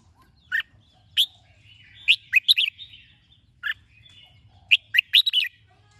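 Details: Red-whiskered bulbul singing in the morning, a bird being trained to sing: short bright whistled phrases of quick rising and falling notes, given in bursts around one, two, 3.7 and five seconds, with a faint low hum beneath.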